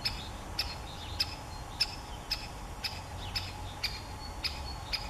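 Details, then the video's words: Great spotted woodpecker calling with abrupt, high 'kik' notes roughly every half second, around ten in five seconds, against a quiet steady hum and low-frequency background noise. "Grote Bonte Specht – Dendrocopos major"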